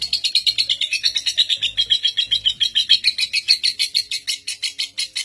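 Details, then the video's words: Caged Indonesian lovebird famed for a record-breaking seven-minute non-stop ngekek, used as a master bird to train young lovebirds. It gives a fast, unbroken chattering trill of sharp high notes, about six per second. "Pancingan Lovebird NGEKEK PALING PANJANG Pemegang REKOR Saat ini | Ngetik Ngekek"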